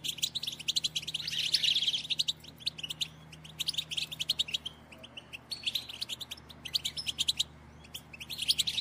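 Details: Female European goldfinch batbata, a call for stimulating males to sing and mate: dense, nonstop high twittering and tinkling chirps in waves, with a louder buzzy patch early on.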